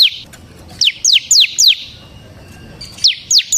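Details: Bar-winged prinia of the semi type, singing energetically as a lure for other prinias: sparse bursts of two to four sharp, high downslurred notes with short pauses between them.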